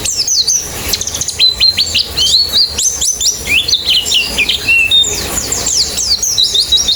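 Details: Chattering white-eye song for prompting quick, open-beaked singing: rapid, high twittering notes in clean bursts, short rising and falling slides and brief gaps, with hardly any background noise.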